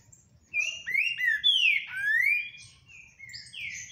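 A Green-winged Saltator sings loud, rich whistled phrases of slurred notes that swoop up and down, delivered in a rapid, vigorous run over a faint low hum.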